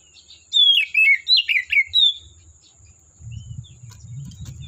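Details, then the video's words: Oriental magpie-robin from the forest giving a loud run of five or six clear, falling whistled notes with sweet slurs, followed by quieter low rumbling background noise. "Suara Burung Kacer Asli Hutan"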